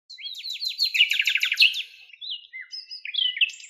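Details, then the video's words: Common nightingale singing in the wild in Greek nature: a rapid series of repeated descending whistled notes, followed after a pause by clear drawn-out whistles and short trilled phrases. "ΑΗΔΟΝΙΑ ΚΕΛΑΗΔΗΜΑ η ΣΥΝΑΥΛΙΑ με ΑΗΔΟΝΙΑ - COMMON NIGHTINGALE SONG"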